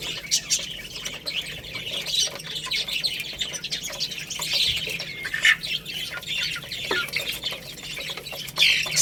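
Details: Domestic chicks eating rice, giving a dense chorus of high, short chirps and peeps that overlap throughout, with scattered clicks and pecking-like ticks underneath.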